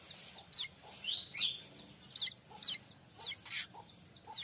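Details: Streaked weaver song used to tutor magpie-robins and shamas: a rapid, uneven string of high, clipped chirps and brief downslurred notes, with soft lower tones beneath.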